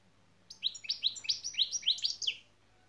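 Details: European goldfinch şak şak, the style taught in training: a tight series of about ten high, bright, upward-flicking notes delivered quickly and evenly over two seconds, close and clear.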